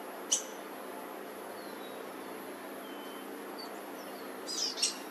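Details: Black-headed grosbeaks at a nest with three young in a front-yard laurel, South Eugene, 26 June 2023; the male feeding at the start and the female at the end give sharp, high chip notes, with faint thin whistles between over pressure-washer hum.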